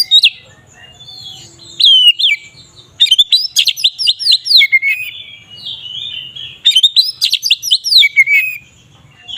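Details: Magpie-robin (kacer) singing the ngeplong style, used as a lure to make other magpie-robins agitated: loud whistled phrases of rising and falling slurred notes in bursts, with quick descending chips between pauses.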